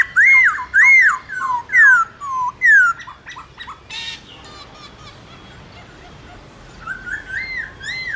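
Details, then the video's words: Black-throated laughingthrush in a morning duel song, 'forest voice' style, played to spur other birds to sing: four loud, arched whistles in quick succession, then softer broken notes, a brief noise burst, a lull, and renewed whistling. "Khướu bạc má hót đấu giọng rừng buổi sáng"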